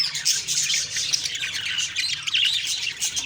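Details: Loud, harsh budgerigar chirps and squawks overlapping in constant high chatter, recorded the morning of October 2, 2023.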